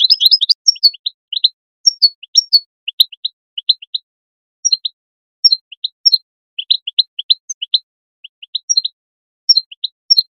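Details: European goldfinch call song of bright, tinkling twitters, quick clusters of high, liquid notes several per second with brief pauses, used to stimulate other goldfinches to sing.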